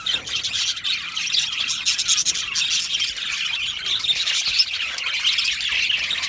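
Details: Many Australian budgies in an aviary colony chirp together, producing a steady wall of bright, twittering high-pitched notes with frequent sharp clicks layered on top.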